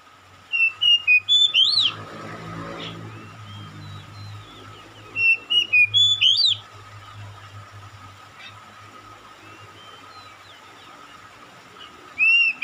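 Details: Oriental magpie-robin responding to another magpie-robin with two bursts of rapid, high whistled and chirping notes about four seconds apart, a short phrase at the end, faint scattered notes between, and a low rumbling sound near the start.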